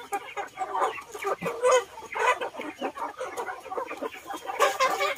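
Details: Flock of chickens feeding in a garden alongside ducks, giving dense overlapping clucks and short chatter in the mid range, with many birds calling at once and no clear single voice.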